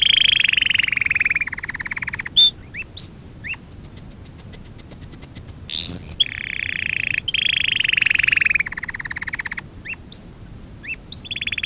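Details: Canary song from a training lesson for young canaries: smooth sustained warbles, buzzy rattling rolls, and a run of fast high ticking notes, then separate upward-flicked whistles, over a steady background hiss.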